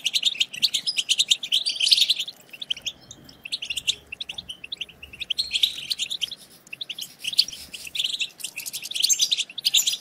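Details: European goldfinch batbata, a stimulating twitter for goldfinches: alternating bursts of fast high chirps and sparkling trills with quieter stretches of scattered notes, rising to busy twittering again at the end.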